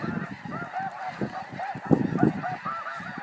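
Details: Constant overlapping honks from a flying flock of snow geese, short nasal barks arriving several times a second over a low, rumbling background.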